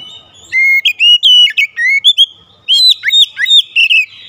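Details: White-rumped shama, a lure bird singing loudly with clear, rich whistled phrases that slide up and down, mixing sustained notes with quick sharp upward flicks in a varied, continuous delivery.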